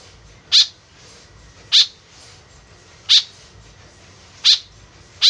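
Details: White-breasted woodswallow, its call used to lure birds in: five sharp, harsh notes repeated roughly every one and a half seconds over a soft, even background.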